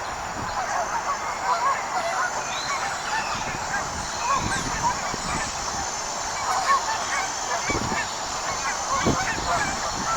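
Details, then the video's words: Many wild geese honking in a flock, a busy chorus of nasal calls over a rough background rumble, with occasional low thumps. "Sounds of a Flock of Wild Geese"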